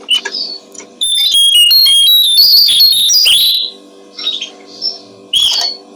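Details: Brown-streaked flycatcher song for training other songbirds: a dense, fast sequence of high whistles and twittering notes lasting over two seconds, followed by sparse soft chirps, over a steady low hum.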